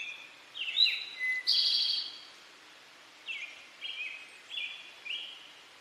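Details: Singing male Eastern towhee, its song rendered "drink your tea": two crisp notes stepping down, a vibrant trilled ending, then a run of four short falling whistles. Calm, quiet surroundings.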